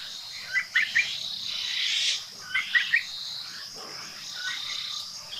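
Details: Red-billed Blue-Magpie in Sattal, Uttarakhand, India: two short bursts of harsh, chattering notes, each a quick run of three or four, rising out of a constant high insect drone.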